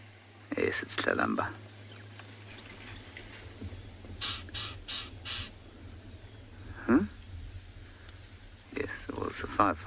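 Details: Lilac-breasted roller (Coracias caudatus) calling on an afternoon safari drive in South Africa, 26 June 2020: a run of four harsh, rasping calls in quick succession, with a man talking before and after.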